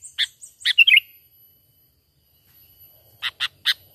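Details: Sooty-headed bulbul natural lure call for trapping: a harsh note, then a short bubbly twittering phrase, a quiet gap, and three separate rasping notes; thin high whine throughout.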